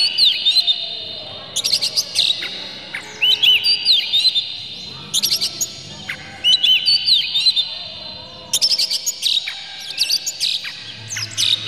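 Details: Oriental magpie-robin lure song with rough, clear material to make birds agitated and open their tails. Phrases of buzzy rasps and curled whistles repeat roughly every two to three seconds.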